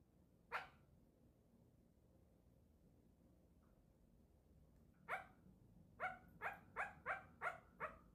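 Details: Pet parrot barking like a dog: one sharp bark, a long pause, another bark, then a quick run of six harsh barks at about two per second.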